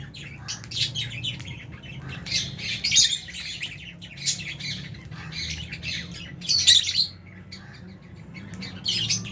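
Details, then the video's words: Lovebirds, albino and Fisher's, eating in an aviary alongside budgies; high chattering chirps come in uneven bursts with louder shrill squawks between quieter spells. "Lovebirds Chirping Sounds"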